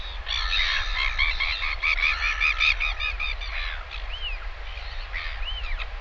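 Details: Northern royal albatross chick begging as a parent comes back to feed it lunch, live nest camera, 20 August 2023; rapid run of clipped, harmonic chattering notes for about three seconds, then two separate arching whistled notes, low rumble beneath.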